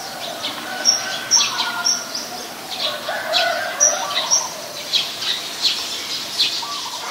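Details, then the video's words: Eurasian tree sparrows (Passer montanus), Ubon Ratchathani, Thailand, 10 May 2020, chirping short bright chips about twice a second, several birds overlapping in irregular chatter. "นกกระจอกบ้าน : Eurasian Tree Sparrow"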